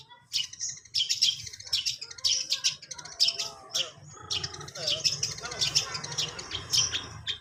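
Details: A long-tailed shrike that is practising its singing delivers a dense, rapid chatter of high thin chirps and scratchy notes, with a constant low droning hum behind it.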